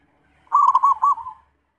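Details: Zebra dove giving one short, low, warbling coo made of about four quick pulses.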